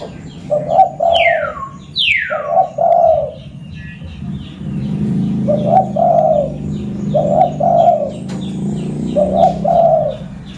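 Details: Local zebra dove from Pidie in Aceh, used to lure other birds. It gives repeated rolling double coos, about five phrases. Early on, another bird sings two loud, sweeping down-slurred whistles, with chirps and faint rumble in the background.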